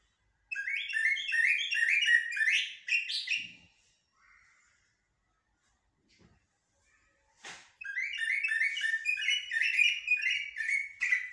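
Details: Common blackbird, known locally as jahmumiya or shahrur, sings haddadiya and askariya style song: rapid runs of repeated bright chirping notes, a pause with faint sounds, then another long rattling burst of chirps.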